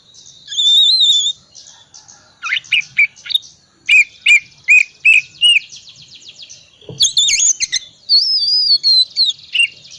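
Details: Oriental magpie-robin of the calm 'tipe dingin' type, singing nonstop in a full 'isian' style, used as a lure to get reluctant magpie-robins singing: loud whistled slurs, sharp chip bursts and rising and falling warbles in quick varied phrases.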